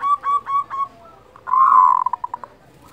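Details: Local zebra dove giving the kerot call, used to raise breeding desire and emotion in other doves: a run of four short clear notes, then a loud rolling trill breaking into quick staccato pulses.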